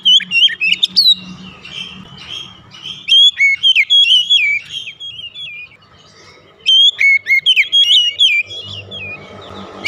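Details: Household oriental magpie-robin singing, a lure to make other birds sing: two loud bouts of clear whistles and quick sweeping notes, split by a quiet stretch, with a low hum beneath.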